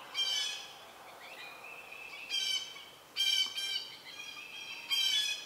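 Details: Southern Red-shouldered Hawks at a nest, with young about to fledge and an adult bringing a snake. Harsh, buzzy squawks with rich overtones come in loud bursts about every one to two seconds, with a fainter drawn-out cry between them.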